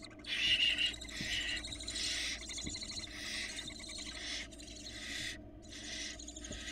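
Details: Hungry barn owl nestlings, four chicks in a Florida nest box, screech and hiss continuously as their mother delivers a rabbit; harsh broadband rasping bursts, nearly unbroken, with a low steady hum beneath.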